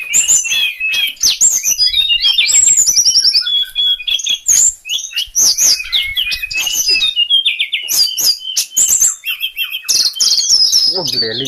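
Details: Sulingan bird pouring out a long, continuous high song of trills, chirps and whistled slurs, with a human voice briefly heard near the end.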